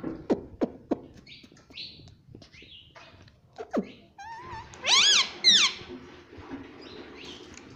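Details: Talking pet parrot that says "Mummy": a run of sharp clicks and short squeaks, then two loud, swooping, voice-like syllables, followed by softer high chatter.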